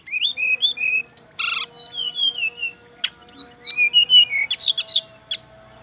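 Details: Song of a male brown-chested jungle flycatcher in Bali, a song said to draw instant replies from others of its kind. Clear whistled phrases slide downward, then a harsh buzz, then high rising chirps and sweet warbled notes.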